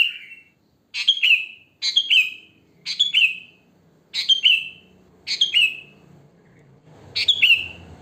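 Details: Sooty-headed bulbul singing naturally in the wild, song used to lure bulbuls; about seven short chirpy phrases, each a sharp high note sliding down into a bubbly trill, roughly one per second, faint low rumble behind.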